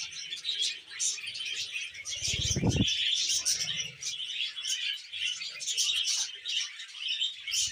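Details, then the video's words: Budgerigar kept as a pet sounding happy: continuous scratchy chirping and fast twitters, broken by a loud, low, buzzy harmonic note partway through. "Happy Budgie Sounds"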